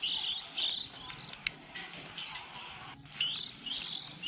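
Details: Fledgling white-eyes at the start of the 2020 season, a recording kept as a trapping lure: dense, high, twittering chirps run almost continuously, with one brief pause near the three-second mark.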